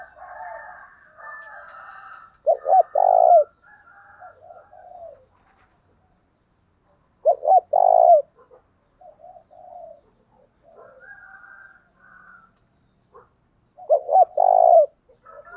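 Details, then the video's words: Lure spotted dove calling to attract wild doves. Three cooing phrases come roughly every five to six seconds, each made of quick doubled low notes ending in a fuller held coo, over soft intermittent background sound. "tiếng cu mồi thúc bổi mới nhất, bổi nghe nhạy gáy và rất nhanh nổi"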